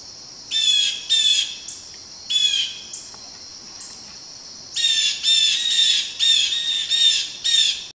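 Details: Blue jays scolding a barred owl they are mobbing: scratchy, buzzy jeers, first spaced singly, then a rapid run of about seven calls in three seconds, over continuous high insect hum.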